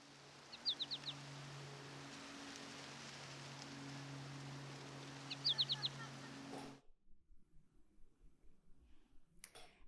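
American Goldfinch flight calls: two quick bursts of three or four thin, high, bouncy notes, the familiar potato-chip pattern, over a steady low hum, then silence.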